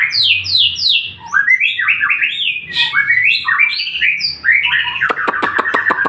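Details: Lure song of a White-rumped shama meant to draw answers from other shamas: descending whistled slurs, rising warbled runs, then a rapid series of sharp clicking notes at the end.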